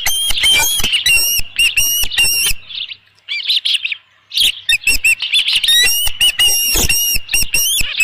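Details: At a Dunrovin Ranch nest on 27 June 2018, an osprey with a headless fish gives strident, piercing chirps in quick runs, falling quiet for about two seconds midway before a fresh volley of shrill calls.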